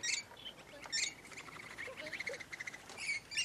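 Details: Large flock of rainbow lorikeets in Lane Cove National Park: sharp, high screeches open and close the clip, with a steady stream of thin chattering notes from many birds between them.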